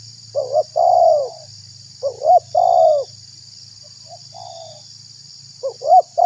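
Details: Spotted dove calling as a decoy to pull in wild doves and excite rivals; mellow low coos in paired phrases, short rising note then longer descending coo, one quieter distant echo phrase, steady background hum and hiss.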